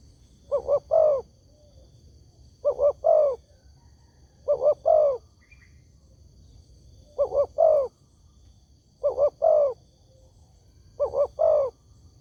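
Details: Tekukur, the spotted dove, giving a lure call meant to make other doves respond: six regular phrases of two short coos and a drawn-out rolling coo, about two seconds apart, over quiet background.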